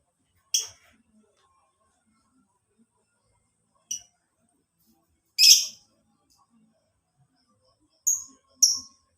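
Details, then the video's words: Lovebird sounds played as a tutoring lure for caged birds: isolated short, sharp chirps and one rasping screech, scattered several seconds apart with long quiet gaps. "PANCINGAN MASTERAN SUARA LOVEBIRD"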